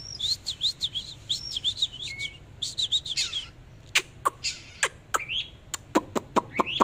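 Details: Oriental magpie-robin singing while displaying: quick runs of high, slurred whistled notes with sweeping shapes, then a series of sharp, dry clicks interspersed with short rising whistles.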